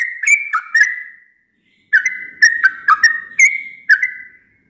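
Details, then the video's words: Sooty-headed bulbul, heard singing every dawn, whistles two short bursts of bright notes that slide between two close pitches. A pause of under a second separates the bursts, and there is no other background sound. "Trucukan yang setiap subuh selalu bunyi"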